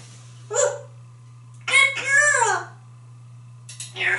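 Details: African grey parrot, a pet male in a Texas home, talking after a shower: short speech-like phrases with a drawn-out warbling syllable sweeping down, separated by pauses, steady low hum underneath.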